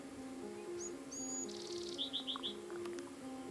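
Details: Blue-gray Gnatcatcher in the hills of Kings Canyon at sunrise giving thin, high calls, ending in four quick downslurred notes in a row, over steady background music.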